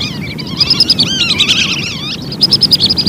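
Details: High whistled notes from lesser whistling ducks, recorded as a lure, rapidly repeated alongside swooping, wavering whistles, then a final quick run of clipped notes.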